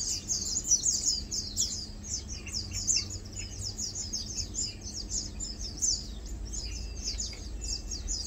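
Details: A group of Lowland White-eyes (Zosterops meyeni), locally Matang Dulong, feeding and preening; a continuous high-pitched chatter of rapid, thin, descending chips from several birds overlaps throughout, over faint low hum.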